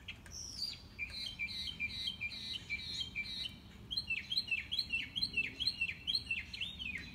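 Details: Enthusiastic mockingbird heard on a morning walk, running through its repertoire: rapid repeated high whistled notes and downward-slurred chirps, phrases changing midway into a new repeated motif, with faint low background noise.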